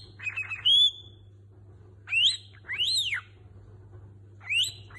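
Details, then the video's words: Pet cockatiel whistling imitated tunes, including La Cucaracha and a song by Niko Pandetta: a few clear whistled notes, some rising and falling in arches, separated by pauses, over a steady low hum. "Pappagallo Calopsite canta dove e quando cucaracha e la canzone di Niko Pandetta"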